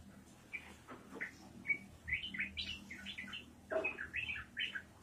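Yellow-vented bulbul gives quick, bubbly, chattering phrases of mid-high liquid notes in irregular bursts over a low steady hum.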